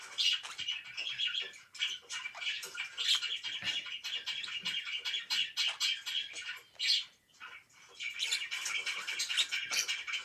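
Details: Pet budgerigar chattering steadily: rapid, scratchy chirps and squeaky notes in a busy, unbroken warble, a short lull a little after seven seconds, then the chatter resumes with bright, buzzy trills.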